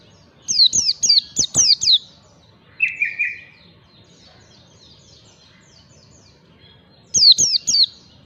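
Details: White-eye singing ngalas style on a training lure. A fast run of six high, falling whistles is followed by a lower buzzy trill, soft distant twittering, then another quick burst of three descending notes.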